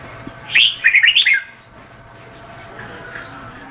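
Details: A single quick phrase from a Vietnamese red-whiskered bulbul: a loud whistled note followed by three or four bouncing, slurred notes lasting under a second, then faint chatter and low hum.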